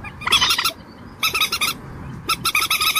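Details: Common moorhen giving three bursts of rapid, clipped, harsh notes, each burst a quick run of four or five, separated by short pauses.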